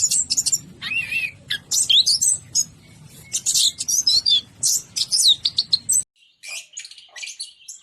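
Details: Energetic song of a kept orange-headed thrush: dense high twittering, slurred rising whistles and harsh scratchy notes in quick bursts over a low rumbling background, which drops away near the end as the singing briefly pauses and resumes.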